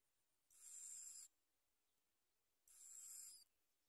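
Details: Bar-winged prinia (Prinia familiaris), begging call: nestlings begging for food as their mother feeds them.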